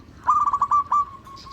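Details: Local zebra dove, as used to lure other doves: a single short cooing phrase of five or six rapid mellow beats trailing into a soft held note, a faint high chirp after.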